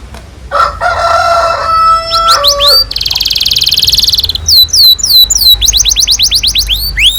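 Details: Chatty canary singing a long song meant to train young birds: lower steady tonal notes, a dense buzzy roll lasting over a second, then rapid high descending whistles and fast repeated chips.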